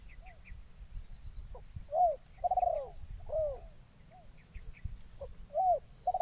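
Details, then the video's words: Newly trained decoy spotted dove, on its first trip into the wild, calling in forest to lure wild doves. Soft low coos in short phrases: a brief note, a rising-falling coo, then a longer rolling coo, repeated. A steady high whine persists throughout. "Burung Terkukur Pikat"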